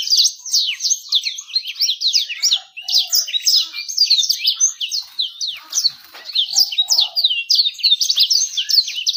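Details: Lure recording meant to make birds sing fast and draw in females: dense, rapid high-pitched twittering with quick slurred chirps and buzzy trills running without pause, a faint low murmur briefly underneath.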